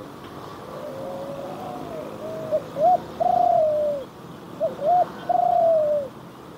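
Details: Spotted dove, one of three birds present, delivering its phrase twice: a soft low lead-in, short hooting notes, then a long sliding coo that sags at the end, against a constant hiss.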